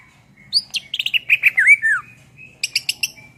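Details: Greater green leafbird singing lively tutor song for songbirds: bright chirps give way to sweet, slurred whistles that drop in pitch, followed after a short gap by a quick run of high, clipped notes.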